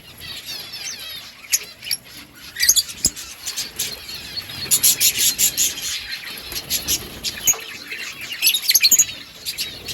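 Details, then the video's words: Lovebirds in a breeding colony: dense, overlapping shrill chirps and squeaks from many birds, in bursts that swell and fade over ten seconds. "lovebirds colony lovebirds chirping sounds"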